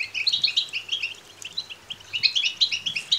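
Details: Goldfinch chicks calling for food: two bursts of sharp, high twittering chirps separated by a brief lull, over a faint low hum.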